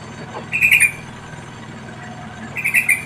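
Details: Wild yellow-vented bulbul chicks being fed: two rough, buzzy squawking bursts about two seconds apart, each a short rattle of notes, with steady low background noise.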